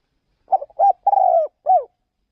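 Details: Spotted dove serving as a decoy while luring wild doves in another province. A single clear, low cooing phrase: a short stutter, a rounded coo, a long throaty purring note and a final arching coo.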